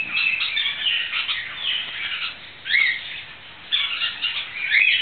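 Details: A green-cheeked conure being held and rolled over in the hand gives harsh, scratchy squawks and chatter in uneven bursts, about one a second, with a few sharper rising notes.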